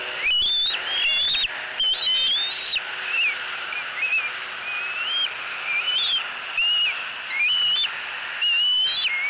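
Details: Young eagle screaming for fish at its mother on a Southwest Florida nest, April 2018, during a tug-of-war over the catch. Wavering whistled squeals, repeated about once a second, between bursts of rustling and flapping.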